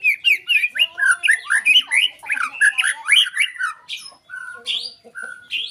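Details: White-rumped shama pouring out a dense, harsh run of squawky, scratchy notes repeated about twice a second, with higher chips mixed in, before breaking into a few scattered short calls.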